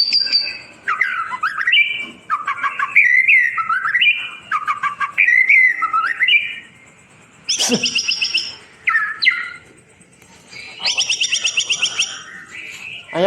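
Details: White-rumped shama song for tutoring birds that went quiet: varied whistled and warbling phrases with harsh chattering bursts and brief pauses between strophes, sung close and loud.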